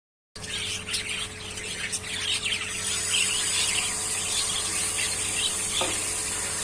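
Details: Several caged parrots chirp in quick, high, scratchy bursts that overlap and run together, with a steady mechanical hum and a hissing noise underneath.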